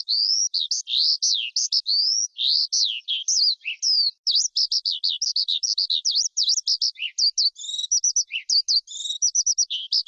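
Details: Forest skylark song, a recording keepers use to stir wild birds, for trapping, or to train young birds: a rapid, unbroken stream of high, thin, chattering and trilled notes with quick slurs, no other sounds.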